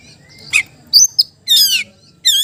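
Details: Oriental magpie-robin calling a rival: a few separate notes, including a thin high whistle, a sharp click and a buzzy harmonic sweep falling then rising, over faint low hum.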